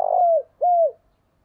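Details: End of a spotted dove phrase, given to lure wild doves: a rolling coo trailing downward, then a smooth coo that rises slightly and falls away.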